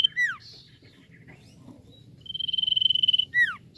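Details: Common iora in full song, used to stir untrained birds into singing: a sharp high note and a falling whistled slur, then a long buzzy even trill, then another steep downslurred whistle. Low background rumble.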